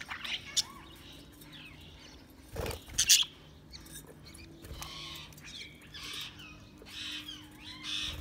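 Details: Budgies chirping: soft, sliding twittering notes and a few sharper chirps, mixed with clicks and knocks in the background.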